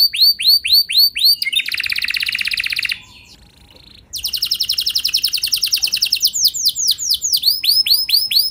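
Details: Lure singing of a canary to set other canaries off: curling high whistles, a dense buzzy rattle, a brief pause, then a long fast trill slowing into arched repeated notes.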